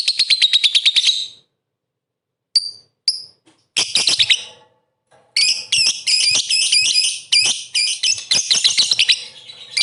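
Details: Lovebird song meant to stir rival lovebirds to answer: a buzzy rapid trill, a silence, a few isolated high squeaks, then long, fast, harsh chattering phrases with piercing notes.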